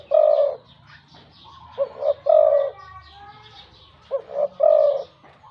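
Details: Big-voiced caged decoy spotted dove. Three low coo phrases, each two short notes and a drawn-out rolling coo, with faint twittering from other birds between them.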